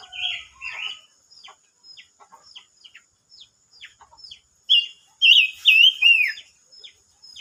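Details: Singing silver-eared mesia, 25 May 2022: opens with two whistled notes, then a scatter of short soft chips, and later a loud phrase of four bright slurred whistles, the final one sweeping downward.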